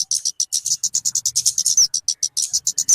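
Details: Kemade or talokan bird calls for luring birds: evenly spaced high, sharp chips roughly seven per second, two thin descending whistles near the middle and end.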